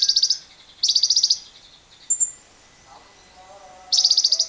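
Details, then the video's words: Lovebird ngekek, a long trilling song used as a lure to set other lovebirds singing, heard alongside wild birds: short bursts of rapid, shrill, high chattering notes separated by pauses, with faint lower whistles between. "Pancingan JITU Lovebird Bisa Ngekek panjang"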